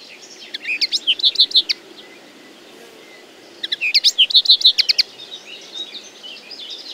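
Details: Common linnet song in two clear phrases, each a run of rapid, bright, metallic twitters and chirps lasting about a second, with soft distant twitters between and after.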